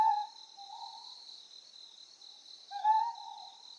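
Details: Ryukyu scops owl from Amami Oshima, Japan, uttering low hoots, one at the start, a softer one shortly after, and a louder rising hoot near the end, with steady insect buzzing throughout.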